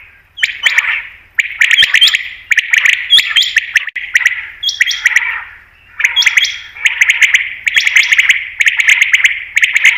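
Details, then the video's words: Batair, the common quail, in a call for quail hunting: steady, loud, harsh notes in close bursts, reverberant, with thin high tones and ticks throughout. "Batair Ki Best Awaz , Batair Sound , Common Quail New Sound For Hunting"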